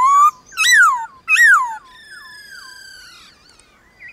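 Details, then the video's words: White-cheeked laughingthrush in a morning singing duel with wild laughingthrushes in nature: three loud, rich whistled phrases, each rising then sliding down, followed by a softer sustained whistled tone and faint trailing notes. "Khướu bạc má HÓT ĐẤU với Khướu ngoài thiên nhiên buổi sáng cực hay"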